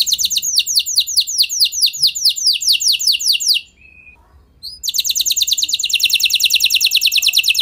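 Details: Canary, an F1 bird, singing to encourage other canaries to answer: rapid runs of downward-sweeping whistled notes, a faint short tone, a pause, then a fast even trill.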